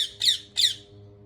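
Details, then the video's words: Two loud, harsh screeches from a ringneck parrot in quick succession, about a third of a second apart, with a low steady hum in the background. "ببغاء الدرة Ringneck Parrot"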